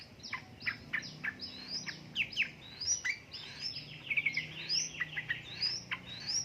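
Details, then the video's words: Yellow-vented bulbul in a lure recording meant to stir lazy birds into singing, described as a female calling a male: dense, rapid chattering with bubbly, rising and falling notes, almost continuous over six seconds, against faint low background noise. "pancingan burung trucuk gacor ropel ngeriwik|| suara untuk trucuka bahan malas malasan bunyi"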